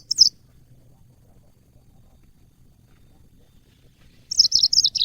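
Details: Yellow-fronted canary singing, used as training audio for cage birds: a clipped high chirp at the start, then a longer burst of rapid, sweet, descending notes near the end, with quiet background hum between.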